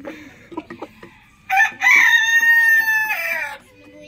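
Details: Rooster crowing in the morning: a loud, harmonic crow rising then holding level for about two seconds, with a falling tail, preceded by soft clucks and a brief voice.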